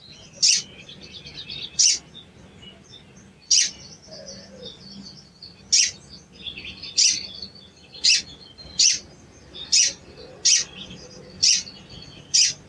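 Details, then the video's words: Repeated cuit cuit of a sooty-headed bulbul, played as a lure to rouse a silent bird: around twelve short, shrill, high chips at irregular one-second gaps over a quiet, hissy background. "CUIT CUIT PANCINGAN EMOSI SOGON MACET BUNYI DAN KURANG GACOR"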